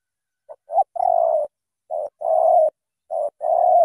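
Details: Spotted dove, Cà Mau in Vietnam, thổ tơ singing. An opening with two short notes and a prolonged coo, then two further short-plus-long coo pairs. The tone is low and even, and the surroundings are silent.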